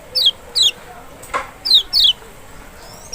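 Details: Lemon-bellied white-eye (Kecial, Zosterops chloris maxi from Lombok or Sumbawa) sound for prompting a reluctant bird: five shrill downslurred notes in three seconds, with one brief click midway.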